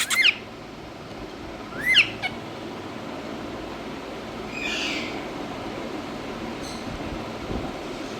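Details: A pet Indian ringneck (rose-ringed) parakeet (Psittacula krameri) gives two sharp, shrill screeches about two seconds apart, each swooping up and down, over a faint background hiss and a soft rustle.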